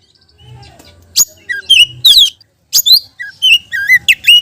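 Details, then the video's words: Oriental magpie-robin, singing as a lure for other magpie-robins, gives scattered sharp chirps and downslurred whistles, then a rapid sequence of twisting, scratchy whistled notes. "BURUNG KACER GACOR‼️ isian beset || cocok untuk pancingan kacer lain‼️"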